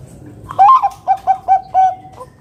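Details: Single clear song of a Bangkok zebra dove, a loud lure bird for getting other doves to sing: a rising, wavering first coo, three evenly spaced short coos, and a longer closing note, in the 'kung besar' style.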